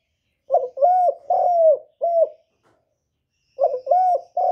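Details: Spotted dove lure bird calling and cooing: soft, low, hollow coos, a few short notes running into a longer drawn-out coo, the phrase given twice with a pause between.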